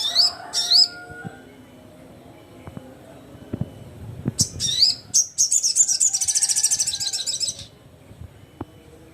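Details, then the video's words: Crimson sunbird calling rivals with squeaky rising notes, then a long, fast, shrill trill of high notes for about two and a half seconds, with occasional soft taps. "SUARA BURUNG SOGON GACOR KERAS, GACOR JUARA"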